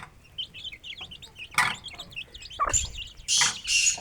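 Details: Aseel chicks eating and running around near their hen in a rural yard: rapid sweet high peeps, each a short down-up slur, broken by a few loud broadband scratches and pecks.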